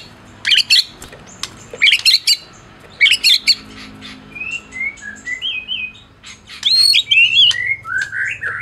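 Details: Medan white-rumped shama, a champion bird, in song used to stir other shamas to sing; dense harsh chattering bursts alternate with a run of short, clear, upward-slurred whistles, then more scratchy notes.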